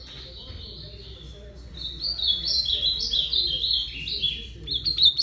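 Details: Ultramarine grosbeak song starting after two quiet seconds: a continuous run of sweet warbled notes, rising and falling, ending with quick higher chips.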